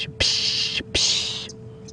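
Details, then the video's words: A young Red-billed Oxpecker, grey-billed, riding a buffalo on a winter safari drive at sunset, gives two harsh, hissing alarm calls about half a second each, over a faint steady hum. "you can also hear the ox Pecker's alarm calling"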